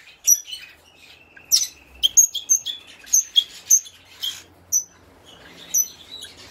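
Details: Captive pair of red-rumped parrots, a blue opaline pastel (cinnamon) male and a blue opaline female, shown at a 2019 parrot exhibition: sharp, high chirps and short whistled notes repeated irregularly, about ten over several seconds, with a faint low hum beneath.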